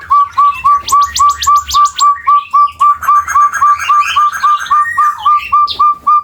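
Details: Long call of the Java-endemic chestnut-bellied partridge: evenly spaced, hollow whistled notes with an upward inflection, about four per second, steady and regular, while other birds twitter and trill in the background.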